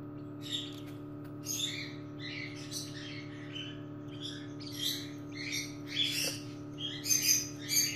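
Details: Cockatiel chick stuck in its egg during hatching in the nest and being helped out by hand: short harsh raspy cheeps at irregular intervals, roughly one per second, over a steady electrical hum.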